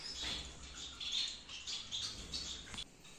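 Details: In a breeding aviary in Peshawar, Gouldian finches give quick, high, squeaky chirps about once a second, some with a thin whistled edge, over soft background rumble.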